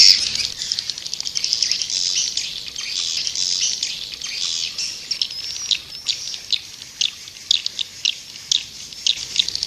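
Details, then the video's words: Lure call of white-nest swiftlets: a thin, high twittering wash with scattered sharp chirps and clicks becoming more spaced toward the end. "Sp. Walet Putih Original "Suara Panggil burung walet""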